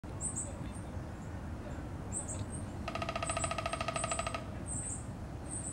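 A Downy Woodpecker drums once in a fast, even roll of taps lasting about a second and a half, with high thin chirps from other birds and a low background rumble.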